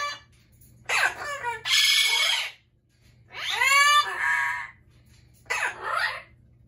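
Amazon parrot screaming in loud, harsh bursts with rising and falling squawks, three or four outbursts over several seconds, with a low steady hum behind.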